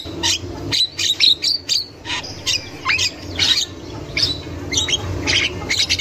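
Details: Javan myna in the wild, used as a lure to get young mynas calling: repeated harsh chirps and squawks about twice a second, some with whistled slurred notes, over steady background noise.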